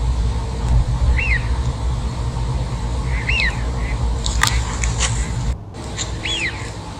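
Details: Three rising-falling whistles from a Eurasian wigeon, spread across several seconds, with clicks and knocks mid-way and a continuous low rumble underneath.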